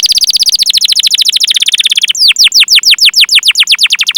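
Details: Canary singing a long 'cuit cuit' rolling song (ngerol), used as a training lure to prompt young, untrained or non-singing canaries. It is a fast, dense trill of downward-sweeping chirps for two seconds, then slower, deeper, well-spaced sweeping notes.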